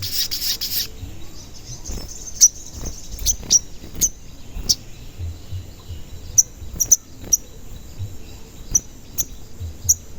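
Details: Sogon giving single shrill, very high chirps at uneven intervals of about half a second to two seconds, a recording used to lure and excite other sogon. A short hissing burst opens it, with faint low background noise.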